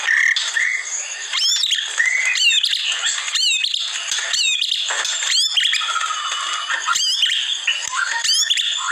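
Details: White-rumped shama masteran training recording: a dense run of loud, varied bird phrases. Sharp upward-sweeping whistles recur about once a second, mixed with squawky, buzzy notes and shrill chirps over a steady high hiss.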